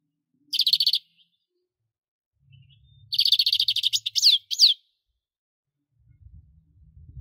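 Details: European goldfinch singing: two bursts of rapid, tinkling twitter high in pitch, the second longer and ending in a few quick downward-slurred notes, with silence between phrases and faint low rumble near the end.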